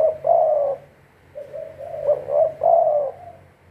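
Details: Spotted dove decoy for bird trapping, calling a long mellow coo, then a softer low note and a pair of clipped coos that run into another drawn-out coo.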